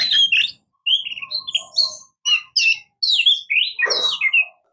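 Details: Singing Oriental magpie-robin, called murai kampung or kacer: rich jumble of whistles, chattering notes and slurred phrases, ending with a loud sweeping note mixed with a brief rough burst.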